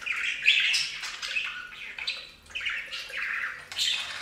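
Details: Several pet budgerigars bathing at a bird fountain indoors, giving a busy chatter of short squawks and chirps, mostly high-pitched and overlapping, with a quieter pause in the middle.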